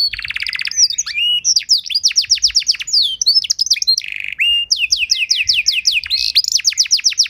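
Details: Canary master and lure song, used to teach other canaries a rich song and prompt them to sing: fast trills, a buzzy low rattle, then runs of quick descending whistled notes repeated many times per second.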